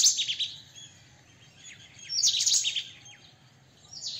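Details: White-throated kingfisher giving harsh, scratchy, high-pitched rattling bursts, one at the start, a louder one near the middle and a third beginning at the end, over a faint low hum.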